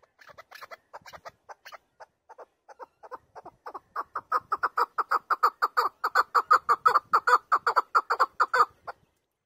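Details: Chukar partridge singing: a long run of clucking chuk notes that start soft and spaced, then speed up and grow loud into a steady, rapid rhythmic chant of about three notes a second.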